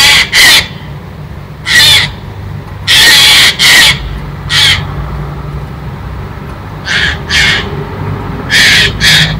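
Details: On 16 November, a Eurasian jay, a daily visitor fed grapes, gives harsh, rasping alarm screeches at a squirrel, about nine in short bursts, some in pairs, over a low background rumble.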